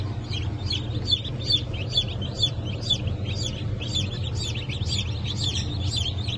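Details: Chicks from a 1 April 2024 hatch of Blue Brahma, Porcelain Brahma, Sussex and Maran. Shrill peeps that drop in pitch repeat in a clear rhythm, about two each second, over a soft low rumble.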